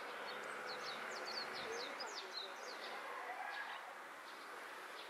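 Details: Brown-eared bulbul among full-bloom cherry blossoms in Hakodate Park, Japan, 28 April 2022, gives a quick run of high, sharp, slurred chirps for about three seconds, then fainter notes, over distant voices and traffic.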